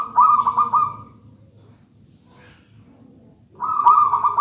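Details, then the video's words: Zebra dove, a wild local bird taken from a nest in a raja banana plant, singing boldly: a fast, stuttering, purring coo that lasts about one second, then near silence, then a second trilled phrase. "Perkutut manggung gacor"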